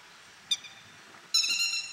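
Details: Grey-headed lapwing in Japan, a bird of fields, grassland and waterside: a short, harsh nasal note, then a longer strident rasping call a second later, both high and rich in overtones, over faint background hiss.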